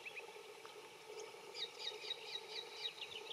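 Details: Little friarbird calling while feeding in a bottlebrush tree gives a quick run of short, high, scratchy notes, about four a second, over a steady low background hum.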